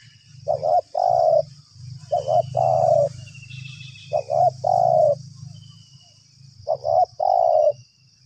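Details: Spotted dove responding to a trapper's lure, calling nonstop: four mellow cooing phrases about two seconds apart, each two quick stuttered notes then a drawn-out coo, with a steady low hum underneath.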